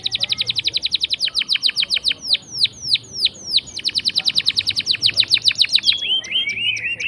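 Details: Canary in full song, used as a lure to prompt silent canaries to sing: long rolling runs of rapid, high, clipped notes repeated in fast trills, slower downward-swept whistles between runs, and a short warbled phrase at the end.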